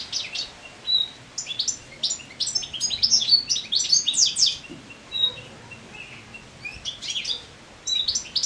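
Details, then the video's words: Moulting goldfinch in late summer delivers a lively, jangling twitter of quick high chirps and short buzzy notes, broken by brief pauses before resuming. "Goldfinch singing naturally song"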